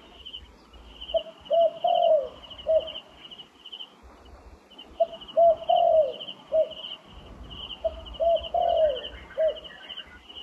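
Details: Wild turtle dove repeating a rhythmic cooing phrase, two short notes, a long slurred croon and a clipped final coo, about every three and a half seconds, three times, with a steady high insect drone throughout.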